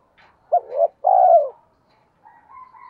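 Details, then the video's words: A single spotted dove phrase played as a lure to set trained doves cooing, 'giọng thổ' style: a brief broken low coo followed by a drawn-out mellow croon, then soft higher chirping from another bird. "tiếng cu gáy mồi, tieng cu gay kich boi nhanh noi hieu qua nhat"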